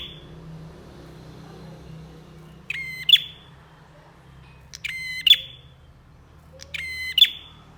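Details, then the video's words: Bar-winged prinia in lively 'gacor' form, giving three short, sharp bursts about two seconds apart; each is a quick, high, clicking, metallic rattle. A low hum sits underneath. "MASTERAN BURUNG PRENJAK GACOR"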